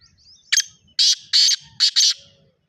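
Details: Morning call of a black francolin, a brief sharp note and then four loud rasping, buzzy bursts delivered in a rapid, uneven rhythm against a quiet background.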